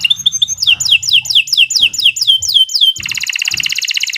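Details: A canary's training lure song, with a string of about nine descending whistled slurs at a steady pace, leading into a fast, dense buzzing trill.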